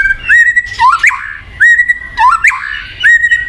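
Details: White-rumped shama (murai batu) song meant to make a silent bird sing: clear rising whistles alternating with lower slurred phrases and a short harsh burst, pattern repeated roughly every second.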